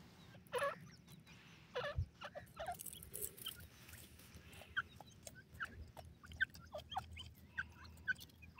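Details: A francolin, possibly a black francolin, calls in harsh, clipped bursts of short grating notes at an uneven pace over a steady low hum.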